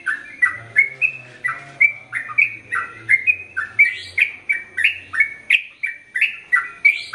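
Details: A captive Sooty-headed bulbul sings a long continuous song, used as training audio for males and females, consisting of a long run of bright, bubbly chirping notes, about two each second, rising and falling, with a faint low hum beneath.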